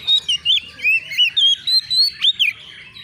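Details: White-rumped shama, a young bakalan bird, answering a rival with emotion: a rapid, unbroken string of rich whistled notes, each sliding and looping, about ten loud notes in three seconds.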